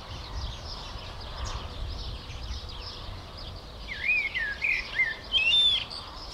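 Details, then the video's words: Common blackbird in the Jordan Rift Valley, Middle East, delivering a short burst of melodic, slurred warbled phrases near the end after quiet ambient hiss, with a thin high note at the close. "Singing Blackbird. In The Middle East"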